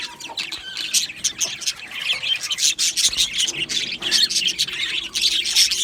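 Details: Budgie colony in an aviary producing a loud, continuous wash of harsh, rasping chirps and chatter from many birds at once.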